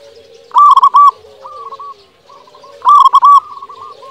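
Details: Local zebra dove singing actively, used as a lure to get quiet doves to sing and to raise their breeding drive. Two bursts of mellow, trilling coos, each a quick stutter of rolled notes followed by softer drawn-out coos.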